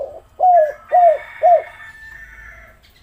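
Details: Spotted dove calling as a lure to get lazy doves singing: three loud, evenly spaced hooting coos, each arching down and up. A faint higher steady tone runs behind them.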